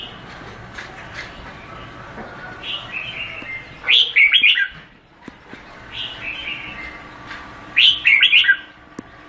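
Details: Red-whiskered bulbul repeating a loud, rich warbled phrase about every four seconds, each preceded by softer whistles, over steady low background noise.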